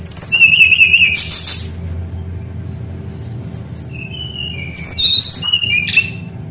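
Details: Brown-chested jungle flycatcher kept as a tutor bird, singing energetically: clear high whistled phrases with wavering notes and short trills in two bursts separated by a quieter stretch of soft notes.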